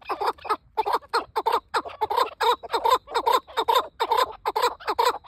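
A chukar partridge gives rapid, harsh clucking notes in a steady chuk-chuk-chukar rhythm.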